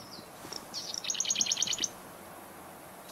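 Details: A Marsh Wren, possibly one of two or three nearby in a marsh with wood ducks, gives scratchy lead-in notes, then a quick, dry, gurgling rattle of about eight high buzzy notes under a second.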